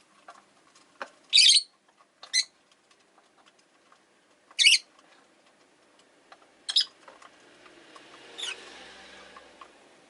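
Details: Rosy-faced lovebirds, five in a cage by a window, with one giving five sharp, shrill chirps spaced irregularly about two seconds apart, with faint clicks and rustle between them, and possible street or traffic noise.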